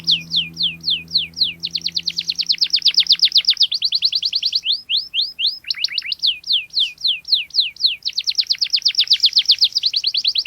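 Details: Canary in full, sharp rolling song, meant to challenge an opponent and tutor young birds: dense repeated downward-sweeping notes around four per second, broken by a lower pair of notes midway.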